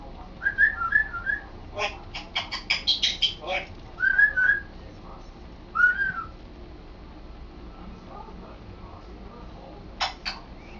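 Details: Male African grey parrot kept as a pet, practising talking and saying new sentences; quick whistled chirps, a rapid clattering run of clicks and syllables, then more whistled phrases and a late pair of clicks.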